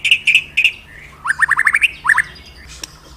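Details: Magpie-robin song used as a lure for pet birds: a few bright whistled notes, then a quick rising series of short upslurred chirps, ending in a brief trill.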